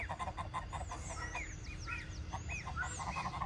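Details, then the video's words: Several goslings on a farm calling: high, arched peeps and rising-falling chirps repeated in quick succession, with a steady low rumbling background noise throughout. "SOM DE GANSO Filhote Cantando"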